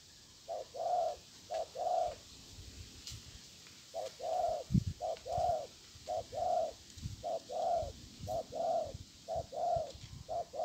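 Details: A Spotted dove used in bird trapping gives soft, hollow coos in phrases of two to five notes, about one a second, with brief pauses between phrases; a few faint low thumps.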